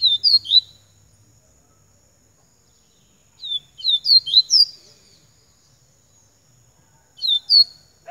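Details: Double-collared seedeater singing in three separate bursts of quick, high, sharply slurred whistled notes, each burst lasting about a second, separated by quiet gaps of two to three seconds, with a thin steady background whine.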